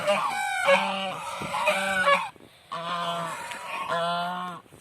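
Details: Village swan calling: a series of loud, nasal, harmonic honks in quick succession, a brief pause, then more honks.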